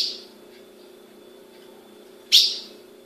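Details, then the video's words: Female ultramarine grosbeak, a captive bird in Brazil, calling: a single sharp, high chip note that trails off with a ringing decay, with the tail of an earlier note at the start and a constant low hum behind. "Fêmea de azulão piando"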